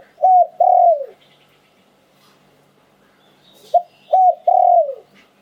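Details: Spotted dove singing in the liu tan song style, a prized auspicious bird: two low cooing phrases, each a short note, then a brief one, then a long falling coo, separated by a quiet pause.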